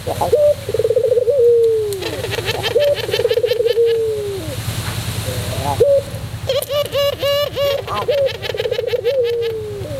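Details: Repeated cooing phrases from a white puter pelung dove used as a tutor recording, each a short low trill ending in a drawn-out falling coo, with high chattering calls of small birds layered over it.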